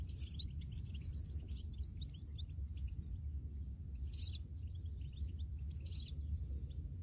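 European goldfinch song in quick bursts of bright, tinkling twitters with a few liquid trills, set over a steady low rumble of wind or distant traffic.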